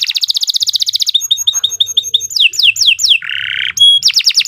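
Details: Shrill, sustained canary song meant for tutoring other songbirds: a fast even trill, then clipped repeated whistles, swooping descending notes, a lower buzzy rattle and a final run of rapid sweeps, all delivered without a break.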